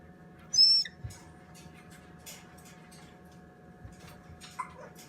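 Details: Young salmon-crested cockatoo chick being hand-fed porridge indoors gives one short, shrill, piercing squeal, followed by faint shuffling and a steady background hum.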